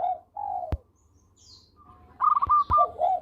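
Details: Local zebra dove in lively song, a voice used for luring birds: a mellow falling coo, a pause, then a quick run of clipped staccato notes ending in soft rolling coos, with a sharp click near the start.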